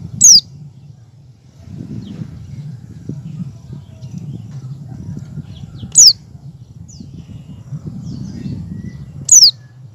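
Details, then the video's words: Oriental white-eye in ngecal song, learning ngalas, used to prompt other white-eyes to sing. Three loud, high whistles slide downward, several seconds apart, with scattered faint chirps and a steady low rumble throughout. "pleci ngecal dan belajar ngalas cocok buat pancingan pleci agar buka paruh"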